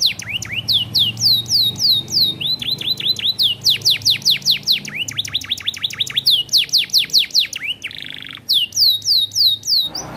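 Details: Long-duration isian song from a competition canary, with rapid rolling phrases of steep falling whistles, a brief harsh rattling buzz near the end, then more sweeping trills.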